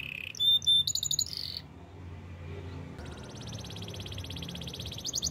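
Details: Canary, described as in the wild: brief pure high tones and a buzzy phrase, a pause, then a softer fast pulsed trill.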